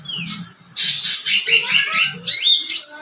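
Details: Cucak ranting bursting into loud, scratchy high chatter after a quiet start with a single falling whistle, notes tumbling rapidly, low music faintly audible beneath.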